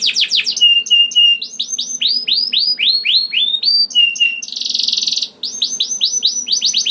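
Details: Chatty canary song with long rolling trills, used as a lure to get other canaries singing. Fast downward-sweeping high notes turn into a steady whistled roll. A harsh buzzy burst near the end gives way to more rapid sweeps.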